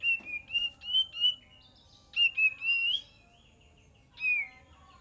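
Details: Lure song of a cream-vented bulbul: groups of short level whistles that run into longer wavering phrases, with one bright falling whistle after a brief pause.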